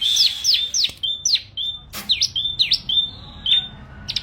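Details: Bar-winged prinia (ciblek) singing vigorously: a rapid series of high, sharp V-shaped chirps with short level whistled notes between them, repeated several times a second, plus a single click midway.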